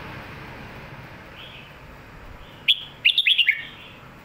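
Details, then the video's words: Red-whiskered bulbul singing a clear lak wai style model song (mae bot): after quiet hiss, one quick phrase of five or six bright, slurred whistled notes jumping up and down, ending in a falling note. "ลากหวาย/แม่บทชัดๆ เสียงดี"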